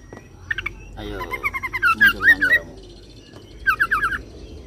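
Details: Oriental magpie-robin (kacer) in roll song imitating cililin and serindit, a run of quick looping whistled notes in the middle followed by a short rapid series of chirps, over low steady hum.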